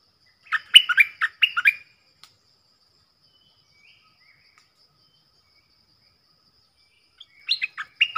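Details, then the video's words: Stripe-throated bulbul decoy song, meant for young birds to copy and for luring wild birds: one lively warbled phrase of clear, rapid notes, a long silence, then another phrase beginning. "เสียงนกดอกแตงEp.44 นกต่อเจ้าเพชร|เสียงดังฟังชัด เปิดเพลงเบิ้ล เพลงเพราะน่าฟัง merbah lekir"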